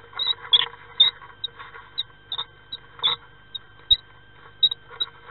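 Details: Common swift pair at nest box on 5 May, as the partner arrives to a bird present since 30 April: short, thin high squeaks at irregular intervals, about one to two a second, with scraping, knocking and low hum.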